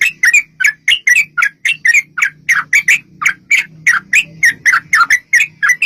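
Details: Long, rapid fighting-style song of a yellow-vented bulbul, played to provoke replies from other bulbuls; short liquid chirps pour out almost continuously in uneven clusters, each note bending up or down, over a soft low background hum.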